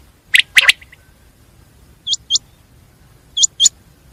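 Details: A common quail gives two harsh, rapid notes, then two pairs of short, upward-hooked whistled notes with quiet gaps between.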